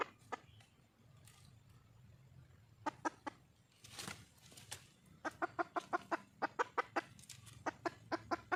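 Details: A wild junglefowl hen seeking a male gives bursts of short clucks, thin at first and then in a quick steady run near the end, broken by a brief rustling noise midway.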